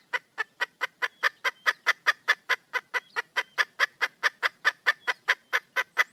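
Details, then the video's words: Red junglefowl hen in the wild, calling for a mate: an unbroken, brisk sequence of short, gravelly clucks, about two and a half per second, with a slight swell in loudness midway. "le bruit d'une poule sauvage,เสียงไก่ป่าร้องหาถู่หาตัวผู้,ສຽງໄກ່ປ່າຮ້ອງຫາຄູ່ຮັກ, poj qaib qus see"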